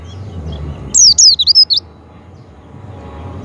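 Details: Javan white-eye lure sound for prompting a kept white-eye to sing: after faint high notes comes one quick cascade of about five loud, thin, wavering down-slurred whistles, then only soft low background noise.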